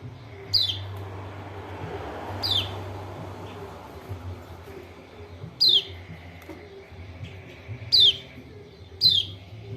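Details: Calls of a Lombok white-eye (kecial kuning) used to coax a reluctant bird into song: five thin, high notes falling in pitch, spaced unevenly with a long pause midway, over low rumbling noise.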